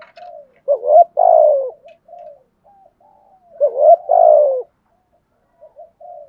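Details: Spotted dove kept as a decoy, cooing to stir wild birds to answer. Two loud phrases about three seconds apart, each a quick upswept note then a long, throaty, falling coo, with soft, quiet coos scattered between.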